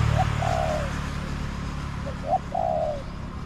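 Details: Wild spotted dove answering a decoy in an orchard: two phrases, each a quick coo followed by a long buzzy rolling croo that drops at its end, over a low continuous rumble.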